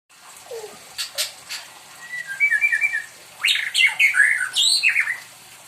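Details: A pet white-rumped shama, described as spoiled, singing persistently as if asking for company: a low slurred note, then sharp clicks, a quick warbled run and bright rising and falling whistles in rapid bursts.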